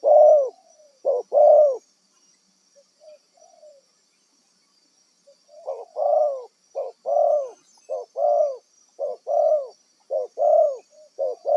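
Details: Spotted dove, wild bird kept as a decoy for trapping, opening with a few coos, pausing with only soft scattered notes, then resuming a sustained, regular series of arched coos, constant faint high tone throughout.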